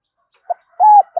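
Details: Spotted dove kept as a decoy, calling to attract wild doves toward a trap in a village; a brief low note precedes a single sustained mellow coo, with another note starting at the very end.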